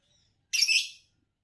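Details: A single half-second shrill, grating chirp from a green Fischer's lovebird, the colour type that wins bird song competitions in Indonesia.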